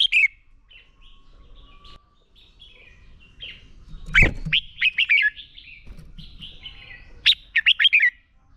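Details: Red-whiskered bulbul fighting song for training caged birds: soft scattered chirps, a dull thump, then rapid bright warbled notes in a tight run, ending with another quick burst of falling, slurred syllables.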